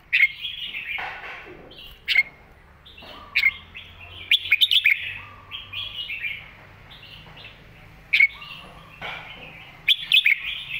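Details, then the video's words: Red-whiskered bulbul master song played to teach young birds: repeated short bursts of sharp, chirpy whistles every two seconds or so, with softer warbling and faint echo between phrases. "สำนวนแม่บท"ร้องชัด สอนลูกนกอยู่บ้านติด100%"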